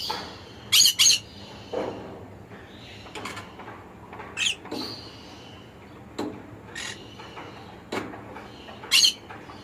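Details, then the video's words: Scattered harsh conure squawks, paired bursts near the start and end with fainter scratchy calls and clicks between them over roughly ten seconds. "Conure Bird Sounds"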